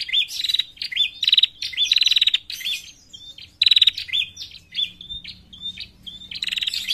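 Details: Female bar-winged prinia calling, a sound used for luring birds: repeated bursts of high, rattling, buzzy chirps with short gaps, softer notes mid-way, and loud trills again at the end.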